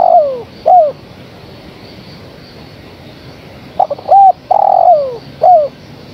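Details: Calling female spotted dove seeking a male: the tail of one phrase, a falling coo and short note, then after a pause a complete phrase of clipped notes, arched coo, long descending coo and brief final coo.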